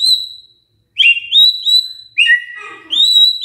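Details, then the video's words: Magpie-robin (murai) lure song meant to make other birds sing actively: loud clear whistled notes, some steady and some sliding upward, in short phrases broken by a pause and a lower buzzy churr. "Pancingan Murai Gacor"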